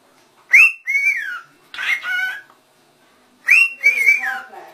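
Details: Rose-ringed parakeets that talk clearly, calling "Allah". A raspy rising note and a drawn, falling syllable form a short spoken-sounding phrase, heard twice with a harsher burst between.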